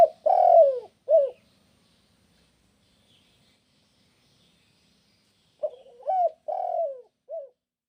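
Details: Spotted dove cooing to draw answers from other doves: a phrase of three to four hoarse, descending coo notes, a long silence, then the phrase repeated in a quiet setting.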